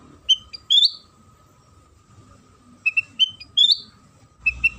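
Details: Sooty-headed bulbul lure song used to get other bulbuls singing: a clear whistled note and a sliding warble, a long pause, then a three-part whistled phrase and closing paired chirps, with faint low noise.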